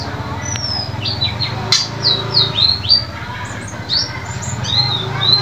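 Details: White-eye song used as a lure to restart caged birds that have stopped singing and to condition them: thin, high whistled notes, many sliding downward, in quick irregular bursts, over a steady low hum.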